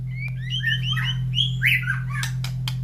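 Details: White-rumped shama kept in a cage, fed in the morning and set beside other caged birds that call back: a quick run of short, bright, stepped whistled notes and a rougher slurred phrase, with a constant low hum behind.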